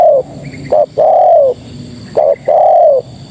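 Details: Female spotted dove calling to attract males. Two complete phrases sound, each a short coo pair followed by a smooth, arched, gradually falling coo about half a second long, with a faint steady background tone.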